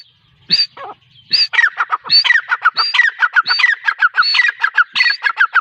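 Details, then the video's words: Female grey francolin calling: a couple of harsh, high opening notes, then a fast run of loud, clipped, squeaky notes that step down in pitch, repeated in quick rattling phrases with barely a pause. "female teetar ki awaz"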